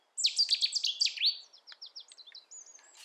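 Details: Cetti's warbler singing in the UK: a sudden loud burst of sharp, rapid notes that sweeps down, then trails off into softer, scattered chips.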